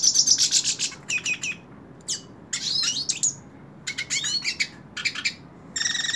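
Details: A hooded siskin held in a person's hand sings a quick sequence of high chirps, sweeping whistles and buzzy trills in separate short phrases.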